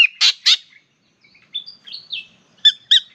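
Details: Spangled drongo in Australia, a noisy bird down low for a sing and a bath, its partner chatting from the tree overhead: harsh buzzy double notes, then thin twangy whistled slurs, then ringing metallic chirps, some overlapping.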